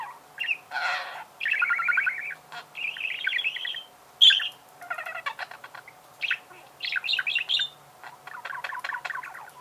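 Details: Budgerigar song with a mix of harsh rasps, bubbling trilled phrases and quick clicking chirps, delivered almost without a break.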